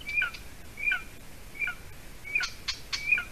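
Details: Golden eaglet, 53 days old, calling at the nest in Latvia during an evening food delivery by its mother in June 2020; clear high whistles, each stepping down in pitch, five calls in three seconds with light rustles between.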